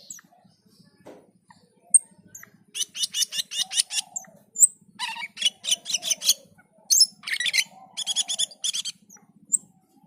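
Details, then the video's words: Black-and-white bulbul singing energetically (gacor) and dazed (teler): after a quiet start, long runs of rapid buzzy chattering notes in several bursts, with occasional high whistles. "Suara MENYERAMKAN Burung Cucak keling ketika gacor dan teler"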